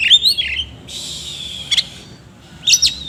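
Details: Oriental magpie-robin, kept bird, singing harsh filler notes: a twisting whistle, then a long scratchy buzzing rasp, ending with a brief sharp squeaky flourish.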